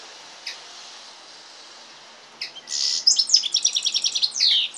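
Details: A few faint isolated notes, then a goldfinch-canary hybrid bursts into a quick trilled phrase of bright, high repeated notes ending in a downslurred sweep, over a soft background hiss.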